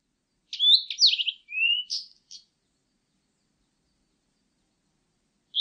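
Blue-and-white flycatcher singing a quick, high phrase of sweet whistles and slurred notes lasting about two seconds, followed by silence and the start of another phrase.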